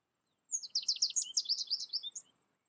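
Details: American goldfinch raised in isolation through its first year, learning only from a recorded tutor without contact with other birds, singing a fast, high twittering phrase of thin rising and falling notes lasting under two seconds.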